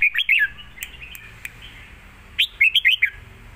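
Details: Contest-singing red-whiskered bulbuls in cages, southern master-song style: a rapid trio of lilting whistles, softer scattered notes, then another lively run of rising and falling phrases over light background hiss.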